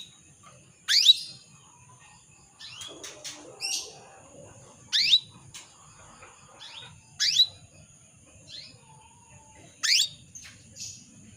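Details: Female canary calling a male, a lure to get male canaries singing: steep rising whip-like calls about every two to three seconds, short chirps between them, and a brief soft rustling noise early on.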